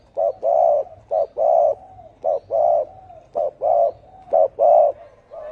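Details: Low, hollow cooing of a spotted dove in the 'thổ ồm' style for luring field doves, five short-long coo pairs in quick regular succession, loud and unbroken.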